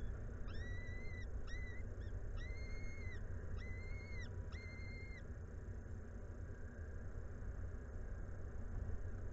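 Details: Peregrine falcon at a nest at Anwil in Włocławek, Poland, on 17 May 2022 at 14:56, during feeding. Five drawn-out, even, wailing notes, each up to a second long, come in quick succession over a constant low rumble, followed by silence.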